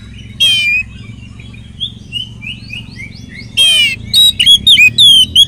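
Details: Oriental magpie-robin singing richly as a lure to make others of its kind sing: a buzzy trill, a string of soft rising whistles, another buzzy trill, then loud clear slurred whistles and chirps.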